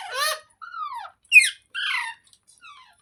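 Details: Green parrot, described as talking, gives five harsh, squeaky notes over three seconds: a harmonic squawk, a gliding falling call, a sharp chirp, a loud nasal screech, then a faint trailing note, with silence between them.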